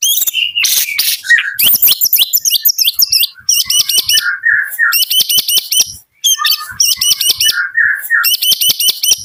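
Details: White-rumped shama of the Medan type singing in the morning: a rich, fast medley of high, sharp notes, rapid repeated chip series and lower whistled phrases, with brief pauses between bursts.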